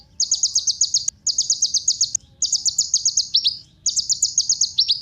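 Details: Song of the kolibri ninja sunbird, played to make other birds sing. There are four quick runs of high, tight chirps, each about a second long, and some runs end in a pair of lower down-slurred notes.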